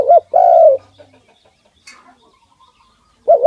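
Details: A pet dove, fed and handled by its keeper, gives strong coos around 600 to 700: a short wavering note, then a longer steady one that falls at the end, another wavering coo starting at the close; a quiet room otherwise.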